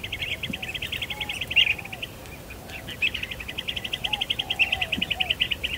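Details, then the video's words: Blue-tailed bee-eaters in breeding season on Kinmen, some disturbing mating pairs: rapid rolling trilled calls repeated in long runs, several birds overlapping, with faint lower whistles behind. "金門栗喉蜂虎繁殖季的愛恨情仇-它們會亂正在交配的栗喉蜂虎 Blue-tailed Bee-eaters"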